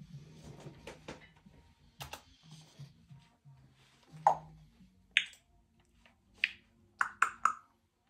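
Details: A talkative pet female Congo grey parrot chatters indoors at home in sharp clicks, then gives short bright whistled chirps, several quick ones near the end, over a low indoor hum.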